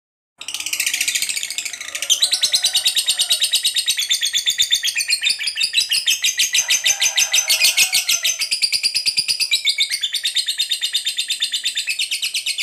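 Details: Fighter lovebird delivering a long ngekek, the extended chattering song played to set other lovebirds singing; after a brief start, rapid shrill pulses pour out without a break for about twelve seconds, steady in pace and loudness.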